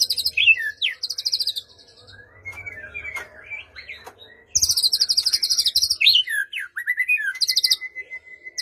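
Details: Song of a white-rumped shama played to prompt a quiet bird to sing, morning or evening: rapid high rattling trills alternating with swooping whistles, a quieter gap with soft notes, then more fast trills and a long steady whistle.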